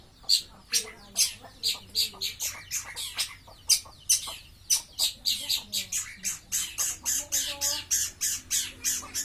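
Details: Long-tailed shrike kept in a cage and set out in the sun, singing hard: rapid run of harsh, scratchy notes repeated about three times a second, with low tonal sounds beneath.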